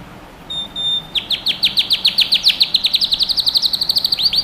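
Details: Canary singing for young birds to learn: a short high pure whistle, a pause, then a long even series of quick down-slurred chirps, about four per second, steady and bright.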